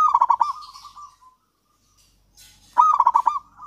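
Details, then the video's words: Zebra dove of local stock singing to lure other doves into song: a bright run of bubbling coos fading into a soft trill, a pause, then a second loud cooing run. "perkutut lokal gacor kutut lokal gacor ampuh untuk pancingan kutut malas bunyi dan macet"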